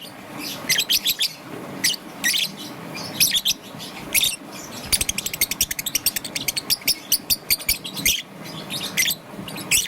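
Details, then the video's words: Young green-and-yellow peach-faced lovebird chirping in the morning: rapid runs of sharp, high chirps in short bursts, thickening into a fast staccato series midway, with a faint low room hum beneath. "Relaxation of Lovebird's melodious chirping sound - Young Peach Face Lovebird - Green and Yellow"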